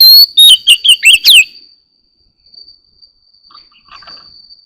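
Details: In the morning, an Oriental magpie-robin (Copsychus saularis) sings a quick burst of loud, varied, sweet whistles and slurred notes, then falls quiet; a thin steady high tone runs on, with faint distant chirps.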